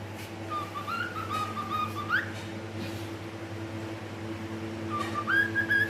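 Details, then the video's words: Pet cockatiel singing indoors: thin whistled notes held level, then sliding upward in a short rising sweep, a pause, then another rising whistle near the end, over a steady low electrical hum. "Adorable Cockatiel Milo's Cute Singing Moments"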